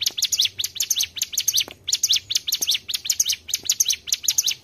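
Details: Mountain tailorbird song played as a trapping lure: fast clusters of piercing high chirps, each burst of several quick descending and rising notes, repeated about every third of a second without pause.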